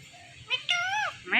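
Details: Indian ringneck parakeet talking on a Thursday night: a short burst of nasal, harmonic speech-like syllables, with a flat drawn-out middle note bending downward and a brief rising squeak at the end.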